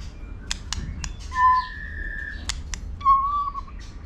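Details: White-rumped shama stimulated to sing for competition. Two low, pure whistled notes are separated by a long, steady higher tone, with sharp clicking taps around them.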